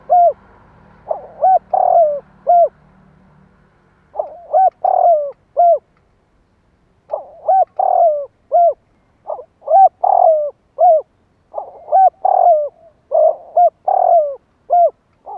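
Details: Spotted dove cooing to stimulate other doves, a long series of phrases, each with quick lead notes, a sustained downward-sliding coo and crisp hoots, broken by a two-second gap, a low hum only at the start.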